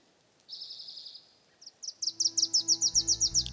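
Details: Wilson's warbler singing on Vancouver Island on a calm, overcast evening around 6:50: a high, thin buzz, then a quick chatter of about a dozen bright chips that speeds up and grows louder, with a low steady hum underneath.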